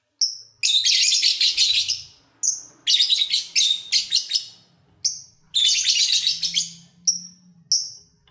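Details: Caged lovebirds singing as they eat and play; loud scratchy twittering phrases interleaved with clear high downslurred squeaks, over a soft low hum.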